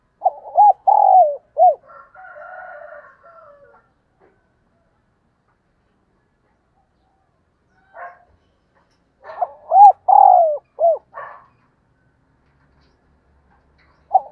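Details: Decoy spotted dove giving its morning call in two bursts of low, hollow coos separated by several seconds of silence. Each burst holds arched notes and a drawn-out falling coo, with a faint softer murmur after the first.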